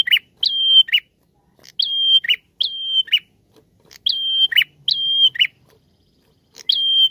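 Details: Persistent prinia singing as a lure song. Repeated couplets of long shrill whistles, each ending in a scratchy falling chirp, run through a clean, quiet background.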